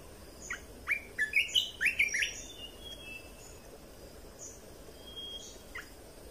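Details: Song of a caged red-whiskered bulbul, used to train young birds and make birds lively: a brisk run of eight or so slurred whistles in the first seconds, then a few scattered soft notes over faint hum.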